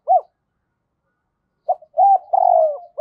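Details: Decoy spotted dove coo meant to draw in wild doves: one short arched note, a pause, then a quick pair of notes leading into a long, rolling, purring coo.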